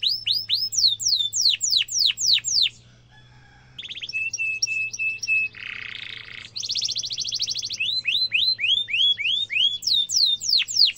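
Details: Canary song used to tutor young canaries: series of downward-swept chips, a pause, flat whistled notes, a rasping buzz, a fast high trill, then more sweeping chips over a low hum.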